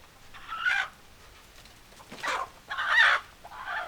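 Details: Chickens, hens and roosters together: four loud, harsh, squawking calls in just under four seconds, each a short rough burst, the third one the loudest, over a quiet background.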